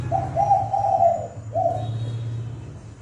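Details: Decoy spotted dove giving a fast "thúc bổi" lure call for trapping: two mellow, level coos, the first drawn out and the second shorter, over a faint low droning hum.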